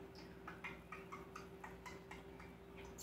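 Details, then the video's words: Pet male common starling with a wide mimicked vocabulary, producing a rapid series of dry clicks about four per second, steady and quiet, over a constant low electrical hum. "Starling with a full vocabulary"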